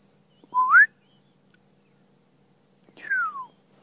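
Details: A Black-headed Oriole at sunrise in Sabi Sand, South Africa, in July 2016, during the dawn chorus, gives two liquid, fluty whistles about two and a half seconds apart, the first sliding upward, the second down, over a faint low hum.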